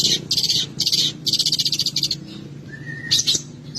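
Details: Long-tailed shrike singing a 'full isian' song packed with mimicked birdsong: bursts of very rapid, buzzy high trills, a brief clear whistle, then another dry trill.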